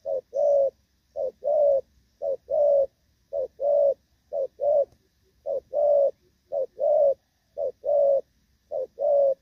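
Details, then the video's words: Spotted dove in moult singing Thổ Pha style cooing, recorded 3 June 2024, song judged still good. About eight mellow, low short-long coo pairs in a regular rhythm, each longer note held and even. No other sounds. "Thổ Pha | chim đang lông nhưng dàn rước với nước gù cũng tốt"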